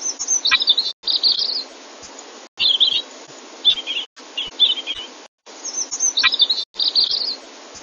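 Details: Munia singing a robin-mimicking song for bird training: short bursts of high, sharp twittering and chirps, with several sweeping downslurred notes, repeated in phrases separated by brief silences.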